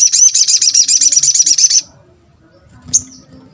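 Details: Sunbird, locally sogon or sogok ontong, giving a lure call meant to provoke replies from other sunbirds: a fast run of high, metallic chirping notes for almost two seconds, then one thin chip after a pause.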